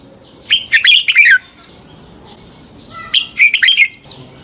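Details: Red-whiskered bulbul fighting song, played as a lure to train birds to sing in the morning: two bright, rapid warbling bursts of slurred notes about two and a half seconds apart, with a thin steady high whistle between them.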